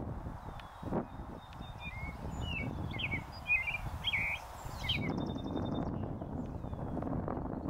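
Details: Leucistic North American robin singing from a post in a northern USA oak savanna: a run of short, warbled, rising-and-falling caroling phrases in mid-recording, with thin high notes from other birds and steady low rumbling noise.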